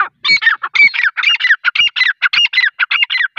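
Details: Grey francolin (teetar) calling: a loud, harsh series of ringing, rising notes repeated rapidly, nearly two per second, with no other sounds.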